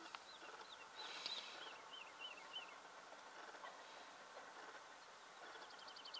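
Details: Birdsong: soft, slurred whistled notes, each bending up then down, repeated in a loose series for about two seconds, with a brief fast trill near the end over steady background hiss.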